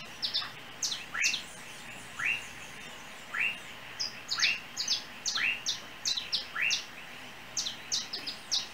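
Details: Trinidad, small yellow bird on overhead wires near a house: a steady run of rising chirps about once a second, overlaid by frequent brief high squeaky notes.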